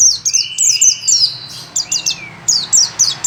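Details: Pacitan white-eye from Indonesia in lively song: clusters of very high, slightly buzzy chirps delivered in quick runs, briefly interrupted by a soft lower slurred whistle, then resuming sharp repeated notes.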